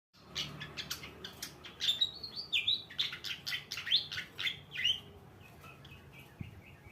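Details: Fantail singing actively, a busy run of sharp high chirps and clicks with short whistled slurs, loudest through the middle seconds, over a quiet low background hum.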